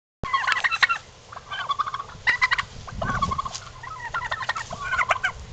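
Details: Domestic turkeys strutting, giving rapid rattling gobbles in repeated bursts over a constant background hiss, several calls overlapping across the clip.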